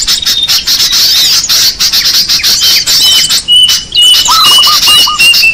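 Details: Lure sound of small birds: constant high-pitched chattering and chirping, several long thin whistles held steady in the second half, and one quick run of five lower hooked notes near the end.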